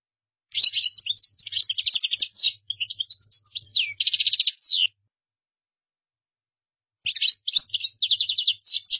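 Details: European goldfinch song of the qdara style, meant for other goldfinches to copy; a long run of rapid tinkling notes, rattling trills and sliding whistles, then a silence and a shorter resumed burst.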